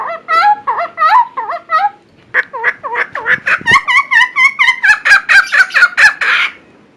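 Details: Loud song of a Helmeted friarbird, recorded for training other birds: choppy, nasal, warbling notes, a short pause, then a steady string of rising, bouncy notes that gets faster and ends in a harsh burst.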